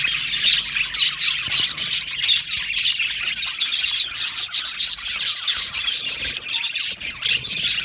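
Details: Australian budgies kept as an aviary colony produce steady overlapping chirping, a busy stream of rapid, high, tweeting notes with scattered squeaks and no pauses throughout.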